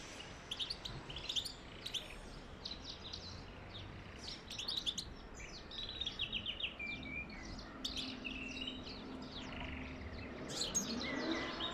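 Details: European goldfinch singing to encourage mating: rapid, high twittering in dense bursts of short chirps and buzzy notes, phrases tumbling one after another with brief pauses, over a low steady background hiss.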